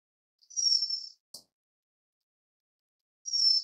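White-crowned Forktail giving two thin, very high, drawn-out whistles about three seconds apart, with a single sharp click between them.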